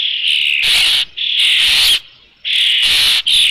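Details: Osprey at its nest with a fish at Dunrovin Ranch, 3 June 2018, around 5 PM; three long, harsh, high squealing calls, each about half a second to a second, separated by short gaps.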